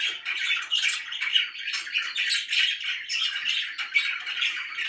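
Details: Cheerful pet budgies chatter steadily, with twittering warbles and rasping squawks that run together in uneven waves of sound.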